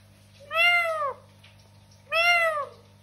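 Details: Two clear, evenly spaced meow-like calls from a pet talking parrot, each half a second long with a flat arched tone and strong overtones, low hum behind.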